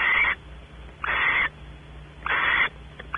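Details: Female barn owl expecting mating as the male explores the nest cavity, Audubon Starr Ranch, California. Three long raspy hisses, each about a third of a second, spaced about a second apart, steady background hum.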